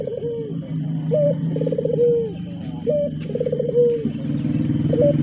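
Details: Ringed turtle dove singing vigorously: a short rising note followed by a rolling, trilled coo that slides down, repeated about once a second over a steady low hum.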